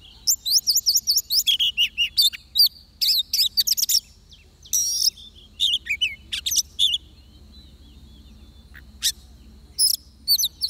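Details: A trapped-area oriental magpie-robin, with a decoy bird present, pours out fast repeated whistled notes, then rich varied phrases that thin into isolated sharp calls.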